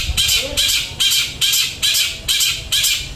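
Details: Long-tailed shrike delivering a song described as flowing material: harsh, buzzy, high bursts repeated about every half second in a steady rhythm, with faint low rumble beneath.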